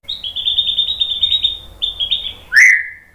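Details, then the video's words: White-rumped shama song used as a lure to provoke a reply: a long run of rapid buzzy trills near one pitch, a short break, more trills, then a loud downward-sliding whistle. "MASTERAN MURAI BATU biar EMOSI NYAUT jadi GACOR BONGKAR TEMBAKAN ¦ PANCINGAN MURAI"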